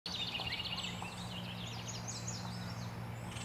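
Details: Baltimore oriole at its nest at Salt Point on 27 June 2020, both parents visiting. A burst of harsh chattering notes opens the clip, with thin high chips from other birds and a steady low hum underneath.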